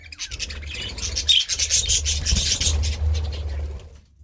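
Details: Busy budgerigar chatter of rapid scratchy chirps and high squeaks, continuous for several seconds before it stops abruptly, with a low hum underneath.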